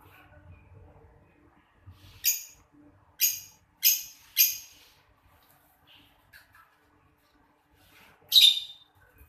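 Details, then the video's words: A pair of lovebirds chirping in the afternoon: harsh, shrill, broadband squawks, four short bursts about half a second to a second apart, then a lone louder squawk after a pause of four seconds, with near-silence between. "Love bird"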